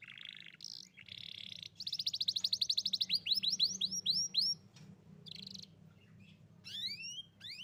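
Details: Song of a young Atlantic canary meant to coax a stalled canary into singing: buzzy phrases, a rapid rattle, a series of sweeping downslurred whistles, then sharp rising upslurs after a pause.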